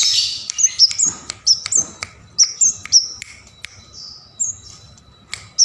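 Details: Bar-winged prinia chirping busily, used to tutor songbirds: a raspy opening, then crisp high whistled notes in pairs with light clicking sounds, a soft drawn-out whistle, and a final sharp note.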